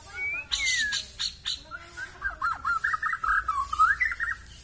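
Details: Kalimantan-type white-rumped shama (murai batu) with a very long tail, singing actively with fill phrases: harsh squawky notes give way to a fast, chattering run of warbled syllables that rises at the end.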